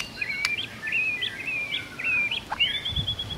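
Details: White-rumped shama in full morning song, rich repertoire: a quieter series of sustained whistles, each ending in a short upward flick, repeated about every half second, then a long high drawn-out whistle over background noise.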